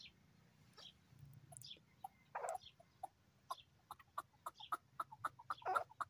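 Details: Spirited male chukar partridge in fine weather gives quick, evenly spaced clucking chucks that tighten into a fast series, with thin high chirps from small birds and a low background hum.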